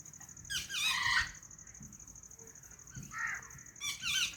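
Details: Calm white ringneck parrot making two harsh, raspy squawking bursts a few seconds apart, with a faint softer call between, against a constant thin high whine and quiet low noise.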